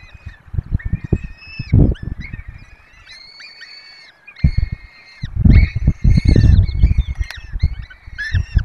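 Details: Peregrine falcon nest with four chicks being fed, Barycz Valley, Poland, via webcam: bursts of layered harmonic wailing calls, several voices overlapping, separated by a quiet pause, with strong low thumps from movement.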